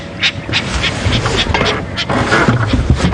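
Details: Lilac-breasted roller gives harsh, rasping calls in short bursts while flying overhead, possibly in its rolling display, on a morning safari drive at Djuma Game Reserve on 10 November 2015, over a rumbling engine, with a man talking toward the end.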